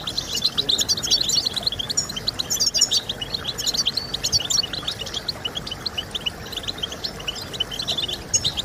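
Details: European goldfinch singing, used to stimulate song in breeding birds: lively bursts of tinkling, liquid twitters, strongest early, then a softer continuous chatter of high chirps.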